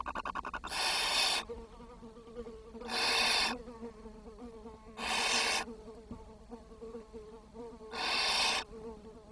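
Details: Barn owl chicks at the nest on 10 June 2023, in a brood where food ran short and the youngest died and was fed to the others; harsh broadband hissing bursts about every two and a half seconds, with a low hum between.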